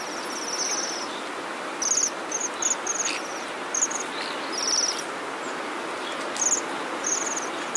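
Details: Flock of Bohemian waxwings in Bratislava during the 2012 invasion: high, silvery buzzing trills repeated irregularly, each under a second, against constant loud urban noise.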